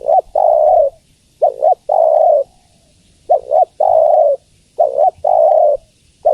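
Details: Spotted dove female calling the male, giving soft low hooted phrases. A quick two-lobed note leads into a drawn-out even coo, and the pattern comes back roughly every one and a half seconds.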